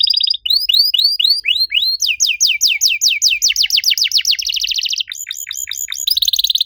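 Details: Canary master song for training other canaries: looping upward-curving whistles, then rapid sweeping notes that speed up into a fast trill, sharp falling strokes, and a closing buzzy roll.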